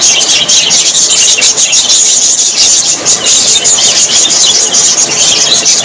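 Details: Many budgerigars, Australian parrots said to be very happy, produce a steady high-pitched warbling chatter of layered chirps and squeaks, dense and continuous.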